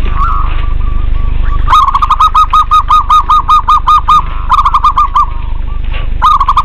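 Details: Local zebra doves in a lively recording used to coax reluctant doves into singing: a fast run of about a dozen clipped, evenly spaced cooing notes, with other coo bursts before and after over a steady low rumble.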